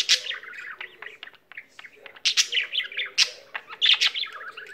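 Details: Pet budgie singing tirelessly: bubbling warble of chirps and clicks, a brief pause, then louder rasping bursts and twittering phrases.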